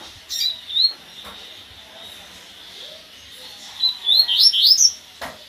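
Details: Colour-mutation double-collared seedeater giving a few high, thin chirps, then a quick burst of sweet, rising-and-falling whistled notes near the end.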